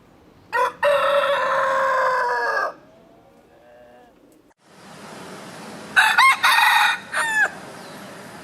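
A rooster gives a loud, harmonic cock-a-doodle-doo lasting about two seconds, then a second rooster answers with shorter, broken crowing notes.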